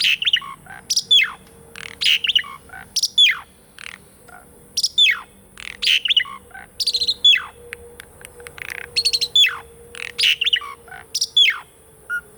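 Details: Asian pied starling singing, meant to coax birds that no longer sing: loud phrases of descending whistles and harsh rattles repeated about every second, over a low steady hum.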